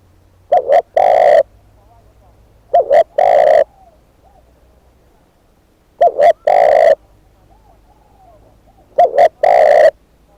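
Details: A decoy spotted dove repeats its cooing phrase four times, roughly every three seconds. Each phrase is two quick clipped notes and then a drawn-out coo. Softer, more distant dove coos sound in the gaps.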